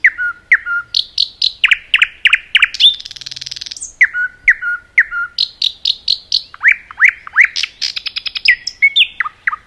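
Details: A common nightingale singing in a forest gives rich, varied phrases: repeated downslurred whistles, a fast rattling trill, buzzy bursts and sharp chip notes, with no other sounds.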